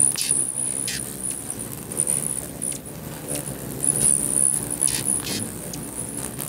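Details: A swarm of hummingbirds at a feeder in Bigfork, Montana, fighting over territory: steady high, squeaky chattering chirps throughout, layered on a constant low hum of fluttering wings.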